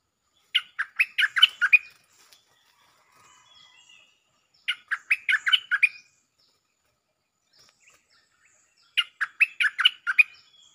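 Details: Lively bulbul lure song with doubled phrases. Three bursts of fast, bubbling chirped notes, each about a second long, come roughly every four seconds with faint quiet twitters between them.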